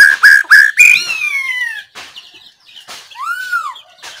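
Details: Singing White-rumped shama recorded 17 April 2024: three loud whistled notes, a long downward-gliding whistle, a pause with soft notes, then a single clear arched whistle.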